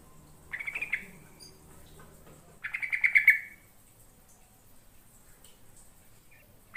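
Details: Yellow-vented bulbul, or trucukan, recorded to coax answering birds: two separate bursts of fast, liquid chattering notes about two seconds apart, the second louder and longer, then quiet with a brief final chirp.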